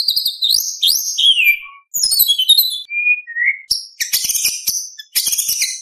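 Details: White-rumped shama in full song packed with imitations: tumbling rising and falling whistles, two clear level whistled notes, then harsh dense chattering bursts.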